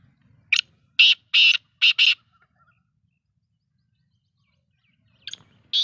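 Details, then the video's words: Black-tailed godwit giving a burst of five harsh, rasping calls in quick succession, the middle ones drawn out, followed by silence and then two more calls at the end. "beautiful voice of black teter"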